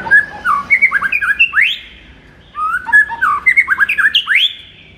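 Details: Two matching phrases from a White-rumped shama, sung in the morning to fire up a kept bird: quick tumbling whistles and slurred notes, each phrase ending in a loud rising sweep, with a silent gap between.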